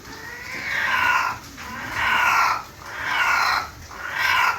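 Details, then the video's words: Javan red junglefowl, wild bird from Java: four loud harmonic calls, each about a second long and roughly evenly spaced, with steady background hiss. "ayam hutan merah Jawa"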